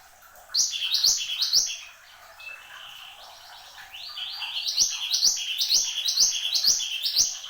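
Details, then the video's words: A mantenan gunung, or Horsfield's babbler, sings lively phrases: three sharp rising notes, a short quieter pause with a thin whistle, then a long, steady run of bright repeated chirps. "SUARA BURUNG MANTENAN GUNUNG GACOR"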